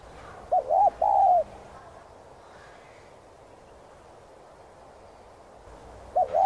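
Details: Spotted dove phrase used to encourage other doves to sing: a clear cooing phrase near the start, a wavering double note then a longer falling coo, with the next phrase beginning at the very end.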